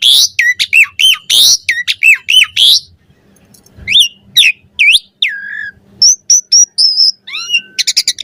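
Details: Asian pied starling varied song meant as a master recording for training birds: loud harsh chattering whistles in a burst, then separate slurred whistles, steady high notes, and a final rapid stutter, with a faint low hum.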